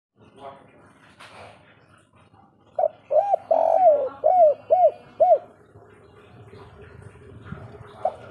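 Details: Spotted dove (derkuku) giving the three-note 'kuk 3' call style: a quick run of short, arched, mellow coos, one longer drawn note among them, over faint low background noise.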